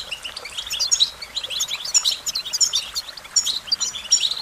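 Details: Sweet, rambling American goldfinch song made of quick high chips, squeaky slurs and tinny whistles packed closely together, with short gaps after each phrase.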